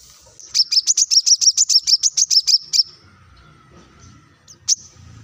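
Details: Plain-throated sunbird (coconut sunbird) in lively 'gacor' singing, used as a master recording to prompt other birds to sing: a rapid run of about thirteen sharp, high, thin chipping notes over two seconds, then a pause and one last note.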